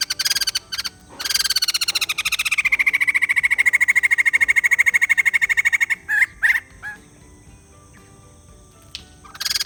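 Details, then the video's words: White-crested laughingthrush in full voice: a loud, sustained laughing chatter of rapid repeated notes lasting several seconds, which gradually steadies into a lower, even rhythm before breaking off into a few separate calls. "Beli Poksai Jambul males bunyi, dengar suara ini malah GACOR"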